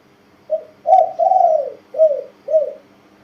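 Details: One complete coo from a tame young male spotted dove: a soft short note, a strong hollow note, a long wavering drawn-out 'ang', then two shorter rounded coos, as in the Thai 'kuk, ku-ang, nun-ang' pattern.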